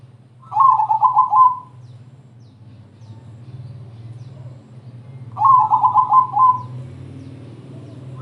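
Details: Crossing-type zebra dove in full song, used to lure other doves into singing: two bursts of rapid, bubbling coos about five seconds apart, each roughly a second long, over a steady low hum.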